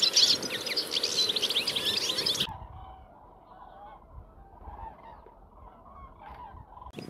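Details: A flock of European goldfinches (Carduelis carduelis), a group of about 60 living in reeds at a field edge among willows and old fruit trees with plentiful thistles, gives a dense two-second burst of bright tinkling twitters, then quiet with a few faint lower notes.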